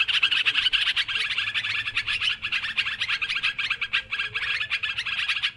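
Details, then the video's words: Lure recording of noisy sooty-headed bulbuls: continuous jumbled chatter of many short notes, loudest at the start, then an even restless wall of twittering calls. "Suara Mikat Trucukan Ribut"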